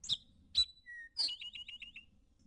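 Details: Eastern Towhee (Pipilo erythrophthalmus) singing drink-your-tea in Ozark spring dawn chorus, shrubby forest-edge habitat: a couple of sharp high notes and a lower whistle, then a quick musical trill of about six repeated notes.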